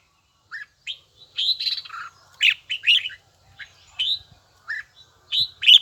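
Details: Spaced, ringing notes from a red-whiskered bulbul in voice training: single clear whistles and short slurred phrases, each set apart by silence, in an even bell-tone rhythm.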